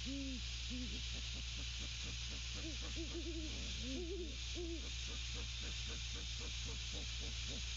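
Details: A male and female great horned owl together at the nest, 6 December 2022, trading hoots and grunts: repeated low arched hoots in irregular bursts, some overlapping, with soft grunting notes between and a constant electrical hum beneath.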